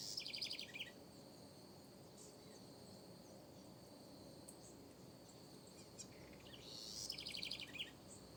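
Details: House wren singing in a backyard: two short bursts of fast, high, repeated notes about six seconds apart, with a continuous high insect drone and scattered faint chirps between.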